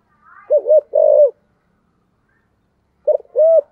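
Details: Spotted dove decoy bird, thổ-voice cooing: a short hollow coo and a longer steady coo, silence, then another short coo and a long arched coo.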